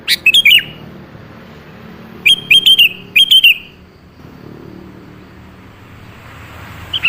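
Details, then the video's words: Lure song of a sooty-headed bulbul for drawing an answer from a seldom-singing bird: a rapid phrase of clear whistled notes, then two similar phrases close together, then quiet background. "pancingan suara burung kutilang yang jarang bunyi"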